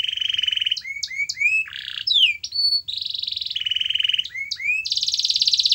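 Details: Canary song for prompting a canary that refuses to sing: alternating rapid buzzy rolls, short upswept whistles and a harsh lower burst, changing pattern every second or two without pause.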